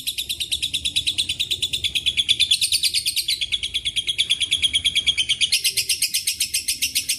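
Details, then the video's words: A lovebird's long ngekek trill, said to carry cililin and canary fills: shrill, fast-pulsed rattling that wavers in pitch and rises into a brighter, higher stretch near the end. "LB NGEKEK PANJANG ISIAN CILILIN & KENARI"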